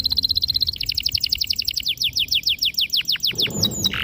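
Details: Clear, sharp canary song meant to train young canaries: a fast high trill flowing into a steady run of downward-slurred whistles repeated about every fifth of a second, ending in a harsh squeaky note.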